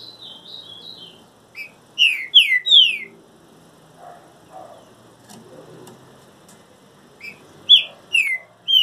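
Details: Trinca-ferro singing in moult: soft high twitter at first, then three loud falling whistles, a quiet gap, and another run of slurred descending whistles at the end.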